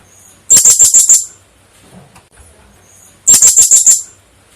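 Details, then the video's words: Blue-crowned hanging parrot, sound used as a lure for trapping: two bursts of rapid, very high, thin sharp notes, about six per burst, roughly three seconds apart, with quiet between. "suaraserindit burung serindit cocok untuk pikat"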